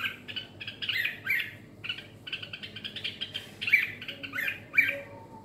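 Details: Red-whiskered bulbul in the ché singing style, giving short harsh chattering notes in irregular bursts, some squeaky upward flicks, roughly one phrase a second with pauses between.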